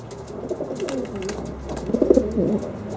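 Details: Homing pigeons in Bensheim give low, throaty cooing murmurs that overlap and swell, with a louder burst of rolling coos near the end.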